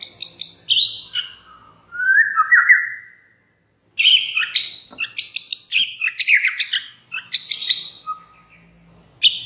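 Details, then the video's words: White-rumped shama song used as a lure to set other shamas singing: rapid bursts of high chirps and trills, a rising slurred whistle near two seconds, a short pause, then dense varied phrases. "murai batu MANA SAJA Bakalan ikutan RAME dan BUKA PARUH dengan pancingan ini"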